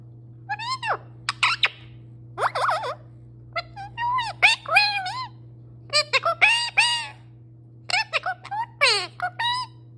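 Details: Pet parrot, male, chattering in a long run of speech-like phrases: quick clusters of harmonic, voice-like syllables with swooping pitch, broken by short gaps. A constant low hum runs underneath.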